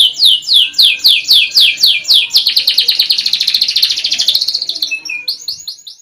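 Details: Canary singing, a master song for training; a series of loud descending whistled notes about four per second, shifting into a fast rolling trill, then brief high sweeping phrases.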